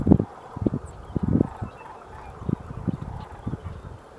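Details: Sandhill cranes at the Isenberg Reserve, Woodbridge, California, on a foggy late-October morning; loud low rolling calls in uneven bursts, several close together, then quieter scattered notes against a low rumble.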